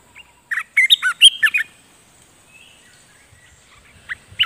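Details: Streak-eared bulbul, a caged decoy bird used to call in a lively wild bird, gives a quick burst of bubbly, slurred chirps and short whistled notes. A quiet pause follows, then two more chirps near the end.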